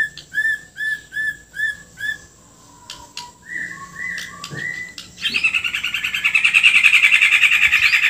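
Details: Bornean white-rumped shama singing a full isian kasaran song: a row of clear whistled notes repeated about three times a second, a pause with soft lower notes, then a loud rapid buzzy trill that grows steadily stronger.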